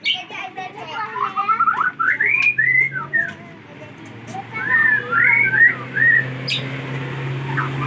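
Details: White-rumped shama (murai batu) from Aceh, Indonesia, recorded 24 December 2022: sliding whistled phrases and short warbled notes in two bursts separated by a brief pause, over a steady low hum.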